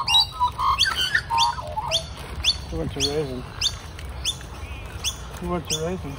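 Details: Two young magpies, wet from rain and being fed at a morning breakfast, give harsh, rising squawking calls, several per second, while a person talks over them in a cheerful voice.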